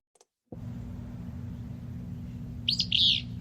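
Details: Willow flycatcher song, its pattern going down, set against the alder flycatcher's: one short phrase near the end, a sharp high note followed by a lower, buzzy slurred note, over a steady low hum.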